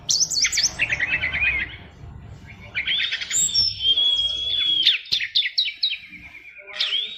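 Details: Oriental magpie-robin delivering a 'fighter' song dense with fill-in phrases: fast rattling trills, a long clear whistled stretch, sharp clicks and rising slurred notes in a varied, nonstop stream over faint background hum.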